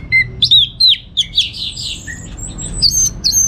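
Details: Kept orange-headed thrush from North Bali giving lure song: a lower whistle, a quick series of slurred whistles, a long thin high note, and sharp, high upslurred whistles.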